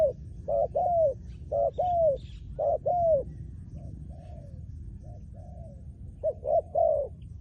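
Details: Cooing of a trained decoy spotted dove: repeated low, hollow phrases of two or three notes, the last drawn out and falling, alternating with softer, more distant coos; brief faint high chirps overhead.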